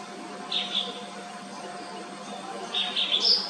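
White-browed wagtail giving two short bursts of high, sweet chirping notes, the second rising at its end, over a steady low hum and background hiss.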